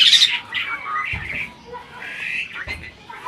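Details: Adult breeding Asian pied starling imitating speech, giving rough, broad squawks and grating calls in loud bursts, with a few brief knocking sounds between them.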